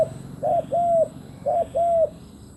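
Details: Decoy spotted dove calling to attract wild doves. There are two pairs of soft husky coos, a short note and then a longer level note falling at the end.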